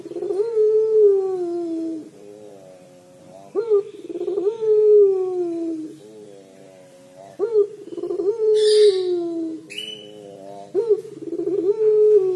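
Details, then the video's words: Puter pelung dove calling in its crying style: long, mournful, gently falling coos about three seconds apart, each opening with a quick upward hitch, with two short hissing bursts between them. "Suara Burung Puter Pelung Menangis"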